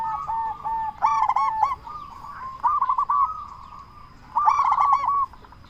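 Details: Loud local zebra dove, kept to rouse quiet or stressed zebra doves and make them answer. Rolling phrases of rapid staccato coos arrive about every one and a half seconds, with a longer, stronger phrase near the end.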